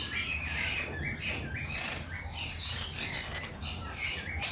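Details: Pet quaker parrot (monk parakeet) chattering: a continuous run of quick chirps and short upslurred notes, some with rising and falling inflections, with steady low room hum behind.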